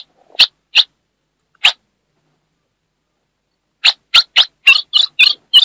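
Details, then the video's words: Northeastern Brazilian female ultramarine grosbeak chirping to arouse the male: three separate sharp chips, a two-second silence, then seven quicker high chips in a tight, accelerating series. "Essa FÊMEA vai deixar seu AZULÃO LOUCO│ESQUENTE SEU AZULÃO! MELHOR CHIADO DE FÊMEA DO NORDESTE"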